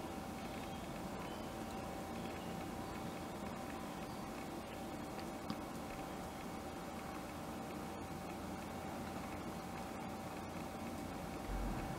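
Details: Steady broadband noise with a constant low hum and a faint tone, like engine or room noise, with no animal calls.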